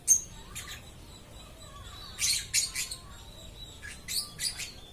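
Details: Lovebird chirping steadily: scattered sharp chirps, then clusters of loud, rough squawks, with a faint whistled note and low background hum.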